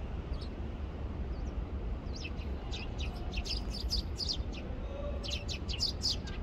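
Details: Eurasian tree sparrows squabble over ripe persimmons on a bare tree after the first winter snow, giving short, high chirps in quick bursts of several notes over a steady low rumble.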